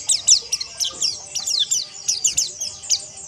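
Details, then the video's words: Several white-eyes twittering together in a training chorus: sharp, very high descending chirps repeated several times per second in an energetic, continuous chatter. "Terapi Pleci Ombyokan Agar Ngeriwik Kasar Dan Ngalas"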